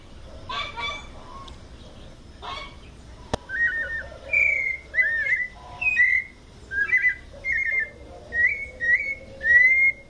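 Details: In São Paulo state, Brazil, a white-necked thrush sings the mateiro song. Faint other calls and a click come first, then a steady series of whistled and trilled phrases about every half second.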